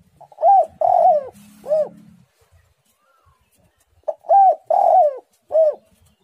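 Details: Spotted dove, described as a very active singer with a tight, pressing voice, gives two three-part cooing phrases. Each has a short opening note, a long rolling coo and a final arched coo, with a quiet pause between phrases.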